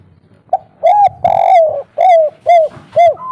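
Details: Local spotted dove in 'kuk 3' style, played to draw birds into calling back. Loud, mellow cooing notes follow one another about twice a second, each slightly rising then falling, ending on a short higher note.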